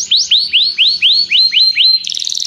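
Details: Canary calling a companion to sing during song training: eight evenly spaced rising sweeping notes about every quarter second, then a quick bright trill, over a faint low hum.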